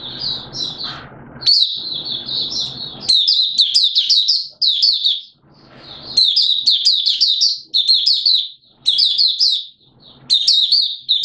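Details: Malaysian Oriental white-eye in 'buka sing' song, Singapore, 29 March 2023, humid with sudden showers: long chains of rapid, high, jumbled chirps and trills, some low background rumble between phrases.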